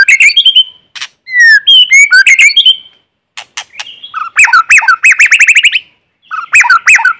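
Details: White-rumped shama singing in forest as a lure bird, no background noise: loud whistled phrases mixed with harsh rapid chattering notes and clicks, in several bursts.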